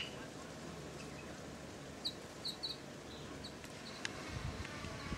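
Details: Male and female sunbirds, identified as yellow-bellied sunbirds, give thin, high chips in short bursts about half a second apart, over a steady background hiss and low rumble.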